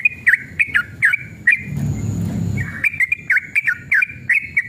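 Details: Agitated long song of a sooty-headed bulbul used as a lure: quick swooping whistles, then about a second of broadband rushing noise, followed by a renewed burst of rapid V-shaped whistled notes.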